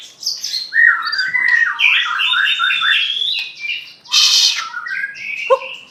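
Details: Aceh white-rumped shama pouring out a varied imitative song, stuttering repeated whistles and warbles, a harsh hissing burst around the fourth second, then fluid phrases closing on a low whistle.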